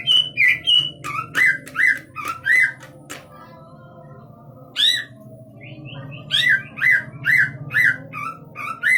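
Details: Large-bodied greater green leafbird from East Java singing loud repeated whistled and squawking phrases that alternate between higher and lower notes, with a pause midway, over a constant low hum indoors.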